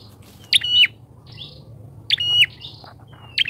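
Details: Two loud, sharp buzzy calls of a bar-winged prinia lure bird, each a high explosive note sliding into a rasping trill, separated by softer faint chirps.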